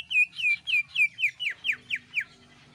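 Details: Cucak ijo, the greater green leafbird, singing its gacor screaming song to spur other birds into song: nine evenly spaced, loud downslurred whistles over a faint low hum.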